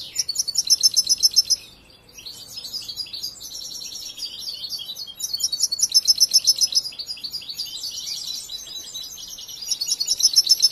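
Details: Young European goldfinch in song training, singing repeated bursts of fast pulsed high trills separated by brief pauses and bouts of busy twittering.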